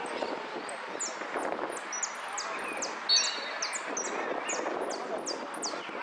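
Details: Hooded siskin singing at a song competition in Monte Grande on 30 October 2016, in the 'amarillo sin cierre' class, where it placed fourth: quick runs of thin, very high, downslurred notes over a steady murmur of crowd voices.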